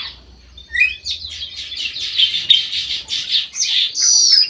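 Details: Kutilang emas mata putih (black-crested bulbul) in an aviary, in full song: a rising whistled slur, then rapid pulsing chatter of high buzzy notes, ending in a bright, harsh burst.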